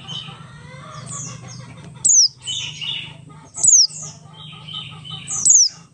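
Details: Oriental white-eye, Buxtoni type, singing ngalas-style as a lure for other white-eyes: thin high chirps, then bright falling whistles roughly every one and a half seconds, over a low droning hum.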